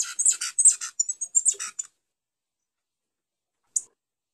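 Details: Red pileated finch (tico-tico-rei) singing persistently: a rapid, high-pitched string of tinkling chirps and thin whistles for nearly two seconds, then silence broken by one short sharp tick.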